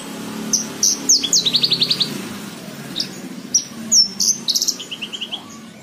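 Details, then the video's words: Lark singing for cage-bird training, scattered sharp chirps then quick evenly spaced ticking trills, a softer run of repeated notes at the end over a faint steady background hum. "MASTERAN BRANJANGAN SATU JAM FULL. COCOK BUAT PEMASTERAN BURUNG BAHAN"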